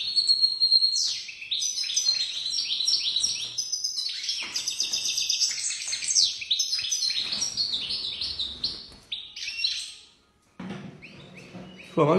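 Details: European goldfinch, called a first-class 'pisador', pouring out a fast jangling song of twittered notes, buzzy rolls and clipped downward slurs, briefly pausing near the end before a loud final burst, with some background noise.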